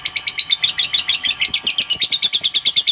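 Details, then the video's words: Short burst of lovebird ngekek chatter meant to provoke a rival: dense, high, pulsing rattle with quick evenly spaced notes filling all three seconds. "suara burung Lovebird pasti gacor, pancingan emosi lawan cepat nyaut ngekek"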